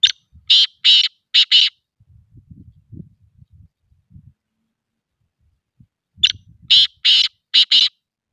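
A black pheasant gives harsh, raspy calls in two quick bursts of four, about six seconds apart, with faint low rumbling between.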